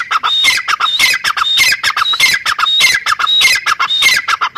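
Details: Grey francolin (teetar, dakhni teetar) giving loud, harsh, ringing calls. Each phrase is a squealing rising note followed by clipped chattering notes, and the phrases repeat about every second and a quarter. No other sounds are heard.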